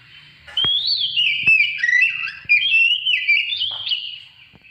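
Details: Oriental magpie-robin, its song meant to stimulate other birds to sing; dense, loud warbling of quick whistles and slurred notes, a few sharp clicks between phrases.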